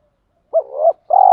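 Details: One spotted dove phrase from a training call for stimulating captive doves: a quick wavering note sliding into a rising hum, then a steady, drawn-out mellow coo, over silence.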